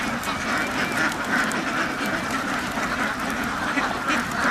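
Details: Flock of farm ducks producing an unbroken chorus of hoarse quacks, many birds calling simultaneously with slight swells in loudness.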